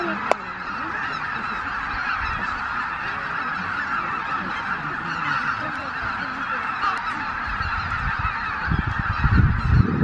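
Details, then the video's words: Greater white-fronted geese, more than 83,000 birds, depart the Miyajimanuma roost in Japan at dawn on 23 April 2017 under dull skies, captured with a Canon PowerShot SX710HS; a continuous clamour of honking calls, with a sharp click early on and heavy low rumble near the end. "宮島沼 マガン ねぐら立ち"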